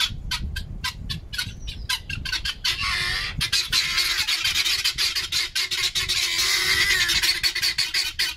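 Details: Pet guineafowl give their owner a noisy telling-off with harsh, rapid, rattling calls, about three per second, that swell into a continuous grating chatter as the flock joins in.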